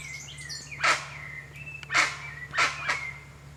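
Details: A few spaced, rasping honks from a guan in the wild, about one per second, with a background whistle of another bird and a continuous low hum.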